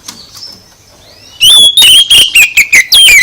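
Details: Provoking song of an oriental magpie-robin, played to get another bird answering: a faint thin whistle, then from mid-clip a loud run of clear, descending whistled notes in quick succession.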